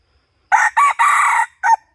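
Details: Hunting recording from 2022-2023 of a red junglefowl giving a full crow: two short rough syllables, one long held note, then a brief clipped ending, with clean silence before and after.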